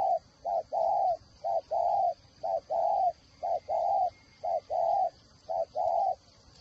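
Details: Decoy spotted dove of the whistle-voice kind, Ba Vì, Hanoi, Vietnam, repeating a regular two-part coo, a short hoot then a longer rounded one, about once a second, very evenly paced.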